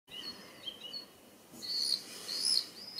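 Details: Common swifts exploring a nestbox at a house: a few faint high chirps, then louder, shrill, buzzy screams in two bursts during the second half, with a quiet background.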